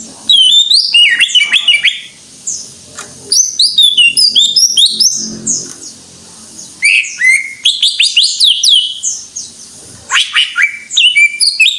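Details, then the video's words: Greater green leafbird in extended full song, with dense clusters of high chattering whistles and chirps in bursts of several seconds separated by brief quieter gaps. "Suara Burung Cucak IJO FULL Gacor"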